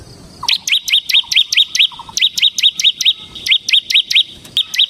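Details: Bar-winged prinia, semi-crystal type used as a lure and tutor for cage birds: quick repeated rising-then-falling chirps, roughly three per second, with faint low soft notes between the first few.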